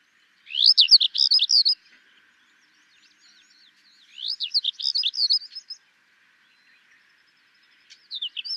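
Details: Tawny lark (Sykes's lark) in Gujarat, India, giving short bursts of rapid, high twittering song, each phrase a fast cascade of sharp slurred notes lasting about a second, separated by pauses of roughly two seconds.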